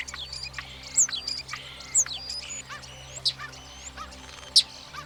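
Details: European Starling song given in mating season to impress potential partners, mixing piercing short whistles, downslurred notes and clicks at irregular intervals, with a soft steady hum in the background.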